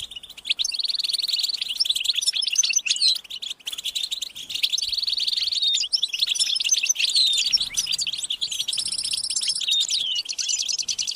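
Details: A group of European goldfinches chattering and singing, meant to rouse males into song; overlapping tinkling twitters with repeated short buzzy trill bursts, a brief pause near three and a half seconds.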